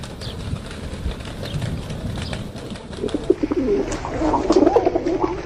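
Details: Pigeons begin with a few faint murmurs over background hum, then low rolling coos build and grow louder and denser through the second half.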